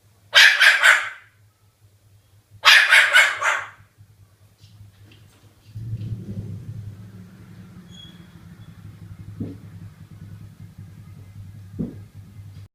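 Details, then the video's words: Barking cockatoo at home: two loud, rasping dog-like bursts of several quick yaps, then a steady low electrical hum with soft rustling and a couple of faint knocks. "Cockatoo Amber, the barking bird"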